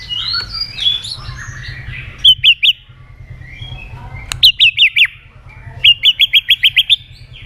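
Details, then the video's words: White-rumped shama (murai batu) lure song: scratchy warbled phrases, then clipped bursts of rapid, high, down-slurred whistled notes, three to eight per burst, separated by short pauses over a low hum. "pancingan murai batu gacor"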